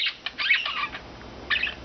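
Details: Four rescued pet budgerigars living free-flying indoors all day: rapid scratchy chirps and warbled squawks in quick bursts, a pause, then another chattering burst.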